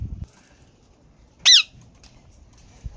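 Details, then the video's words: ['Green parrot letting out one loud, harsh, bending squawk midway through an otherwise quiet stretch with soft low thumps.'] "Green Parrot Talk And Dance Natural Sounds"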